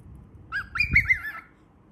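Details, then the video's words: Baby cockatiel giving one wavering whistled call, rising and falling several times for about a second, with a faint low thump partway through. "BABY COCKATIEL SOUNDS"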